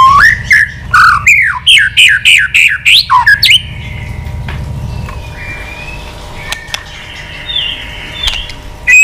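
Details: Excited old wild-caught white-rumped shama, tail flicking, giving a many-voiced provoking song: about three seconds of loud, fast, repeated slurred whistles, then faint, drawn-out high notes over a low hum.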